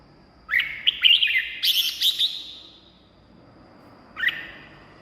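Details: Red-whiskered bulbul, song used to excite caged birds or lure wild birds; one lively phrase of quick sweet whistles with a buzzy high section, followed after a pause by a single short note.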